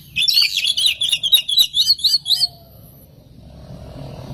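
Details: Oriental magpie-robin singing as a lure for other magpie-robins: a rapid string of high, twisting chirped notes for about two and a half seconds, then quiet with a low background hum.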